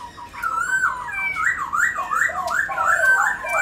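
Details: Indoor pet black-throated laughingthrush gives a continuous, rolling warble while dancing, with wavering whistled notes rising and falling without a break.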